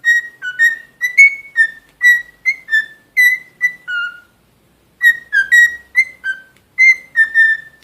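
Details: A pet cockatiel named Rio gives quick runs of clear, slightly buzzy whistled notes, rising and falling in short phrases.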